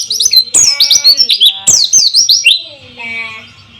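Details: White-eye song played as a lure for birds that have stopped singing, with running water: fast, loud runs of piercing descending chips, then a softer buzzy trill trailing off.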